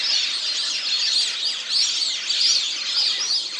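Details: A flock of Plumed Whistling Ducks, recorded 3 August 2023 (or 8 March), giving shrill, high whistles that overlap continuously into a dense, twittering chorus.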